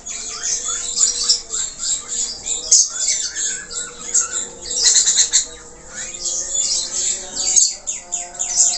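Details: Budgerigar song in 'gacor' style with abundant filler notes: busy, scratchy chatter of chirps and squawky notes, with warbled up-and-down slurs running throughout.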